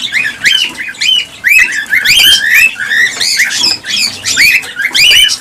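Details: Cockatiels vocalising, played to prompt mating and egg production: repeated upslurred whistles and harsh chirps in rhythmic groups, several birds overlapping with brief gaps.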